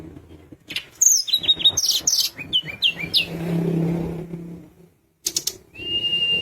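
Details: Sunda minivet singing energetically, a sound used to provoke rival birds into calling: a fast run of high, thin chirps and short whistled notes, then a pause and a steady high whistle, over a low engine-like rumble.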